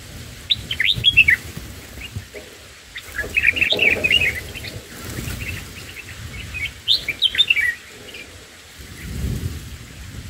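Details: Black-headed bulbul nestlings fed by an adult on day one, one chick struggling with an oversized mantis: bursts of rapid, thin, high chirps and squeaks in three clusters, with soft rustling and low thumps between them.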